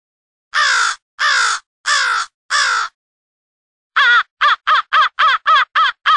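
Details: Crows from two different groups calling excitedly for an early morning huddle, studio mix: four long, raspy caws evenly spaced, a silence, then a fast string of short, clipped caws.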